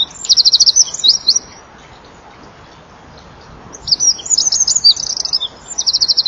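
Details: Eurasian wren singing at dusk on 23 January 2014 at 17:33, caught on a nest-wall camera, fluttering its wings while perched in front: two bursts of very high, rapid, glittering trills separated by a pause of about two seconds.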